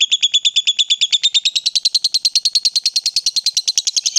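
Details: Caged lovebird, excited and provoked into calling, giving a long ngekek: an unbroken, rapid chatter of harsh, high notes at about nine or ten per second, steady for over four seconds, with no other sounds.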